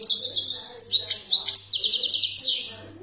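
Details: European goldfinch song from Algeria: quick, liquid chirps and short buzzy trills strung together without a break, bright and high-pitched, ending in a falling note, over a low background hum.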